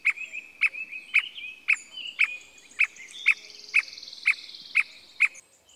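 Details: Squirrel cuckoo (Piaya cayana) in Costa Rica, January or October 2021, calls a steady series of sharp, clipped notes, about two per second, over a thin, high insect buzz.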